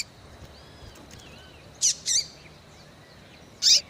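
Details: Female Double-collared Seedeater, locally coleiro, calls to stimulate males with a pair of quick raspy chirps, then a single louder chip, over faint soft background chirps.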